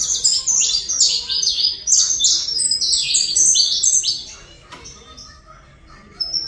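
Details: Saffron finch, Colombia, pouring out a fast series of high, sharp descending notes for about four seconds before the song fades to quiet, then resumes briefly.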